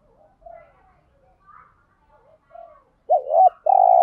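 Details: Spotted dove, full call set used to stimulate other doves: faint soft murmuring notes, then a loud wavering double coo and a long sustained hollow note at the end.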